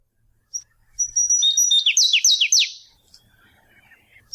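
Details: Flavescent Warbler (Canário-do-mato) from the Brazilian Cerrado: a brief high song opening with thin whistled notes, then a quick run of bright descending slurred notes, lasting about two seconds before silence.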